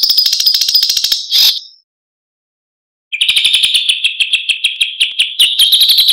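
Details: A long-tailed shrike gives a fast, scratchy, high chatter of rapid repeated notes, broken by a sudden silent gap before the busy song resumes, in a training recording with trickling water in the pauses between sets.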